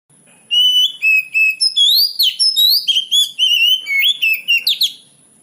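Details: Oriental magpie-robin song used as a training lure to make young birds answer: a rapid, varied run of loud clear whistles, slurred upsweeps and short chirps, with a steady thin high whine throughout.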